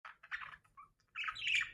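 A budgerigar gives harsh, scratchy squawks in quick bursts.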